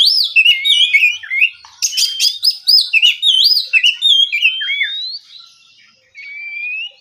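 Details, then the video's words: Morning ngeplong song of an oriental magpie-robin, used to spur rival birds to reply and sing. Rapid looping whistles and twitters with clipped sharp notes, ending in a long rising whistle and a final steady whistled phrase. "Terapi pagi, suara burung kacer ngeplong santai dijamin bikin kacer lawan lekas bunyi nyaut & gacor!"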